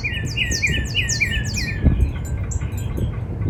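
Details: Spring backyard song of a Northern cardinal: about two seconds of quick repeated falling whistles, then only scattered high chirps from another bird against a low background rumble.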